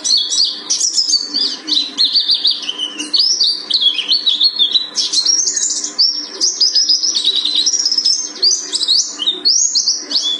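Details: Mountain white-eye (Buxtoni type, Gunung Karang), grey-breasted with a broad yellow stripe to the belly, sings a fast, unbroken stream of high, sweet twitters and slurred whistles without pause.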